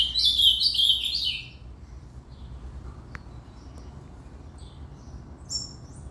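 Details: A loud, rapid warbled phrase from an Ultramarine grosbeak fills the first second and a half, followed by near quiet with only a few faint high notes and a low steady hum.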